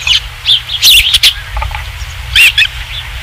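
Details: Nesting osprey, Dunrovin Ranch, 27 July 2016, third fish: a few high thin whistles, a loud cluster of sharp chirps near the middle, quiet, then another short burst, over low rumble.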